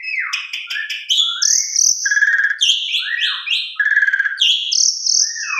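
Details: Javan pied starling singing a varied lure song to prompt other birds to sing: a mix of downward-sliding whistles, dense buzzy trills and high sustained notes, delivered without pause.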